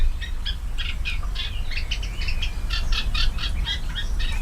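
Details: Eurasian Blackcap giving a rich, fast warble of varied, clear fluty notes that run on without pause, over a steady low rumble; live webcam at a marsh with dense reedbed in the Urdaibai Biosphere Reserve, Spain, on a humid, warm spring afternoon, 4 May 2020.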